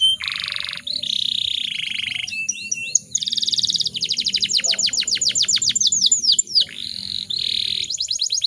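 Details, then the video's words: Female canary in breeding condition, singing to provoke other canaries into song: buzzy block notes alternate with rapid descending trills, clusters of downslurred whistles and harsh rolling phrases, high-pitched and continuous. "PANCINGAN KENARI BAHAN AGAR CEPAT GACORR"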